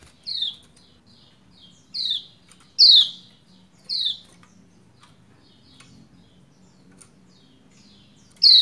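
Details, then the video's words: Lombok white-eye female calling the male to sing: a series of thin, downslurred chirps, four in the first four seconds, then a quiet gap before a final strong chirp. "Ciak Ciak Pleci Lombok Betina Memanggil Jantan Supaya Cepat Gacor"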